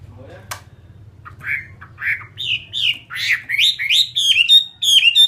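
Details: Chinese hwamei kept as a fighting bird, singing loud slurred whistled phrases that start sparse and build into a fast series of rising-falling notes, nearly twice per second, with a low hum underneath.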